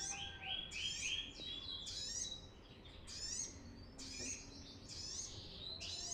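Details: Lively brown-throated sunbird singing, used as a lure to train birds: high chattering bursts roughly once a second, each with downslurred squeaky notes, plus a lower whistled trill early on.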